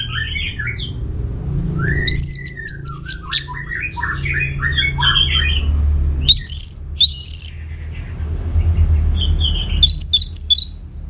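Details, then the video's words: Orange-headed thrush in rich varied song, meant to coax replies from other birds: long sequences of warbled, slurred and squeaky phrases, sharp high chips in clusters, and short pauses between bursts, with low background hum. "Putar Kicauan ANIS MERAH Gacor Ini dijamin Pasti Ikut Nyaut"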